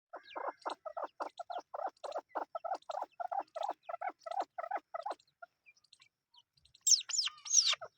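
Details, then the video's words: Chukar partridge chicks giving a run of short, rapid chirping notes, about sixteen in five seconds and unevenly spaced. A brief pause follows, then a burst of higher, squeakier calls near the end. "Chakor beautifully chicks | partridge chicks"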